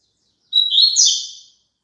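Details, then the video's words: Double-collared seedeater song, played for a caged bird to sing along with: one high, rapid phrase about a second long, opening on a thin whistled note, then a buzzy, tumbling warble that fades out. No other sounds. "COLOCA ESSE CANTO PARA SEU PAPACAPIM CANTAR JUNTO"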